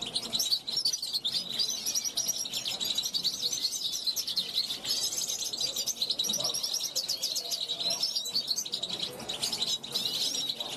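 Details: A 2021 juvenile European goldfinch kept on a balcony, calling to wild goldfinches flying past; long unbroken run of quick chattering twitters and sharp high notes, with a faint low murmur behind.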